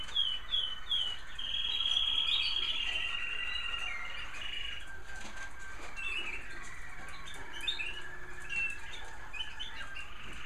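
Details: American Singer canaries singing in bird rooms on an evening, some home-bred; several birds overlap with sweet whistled notes, a long steady trill near two seconds and quick chirps, with a faint constant high hum.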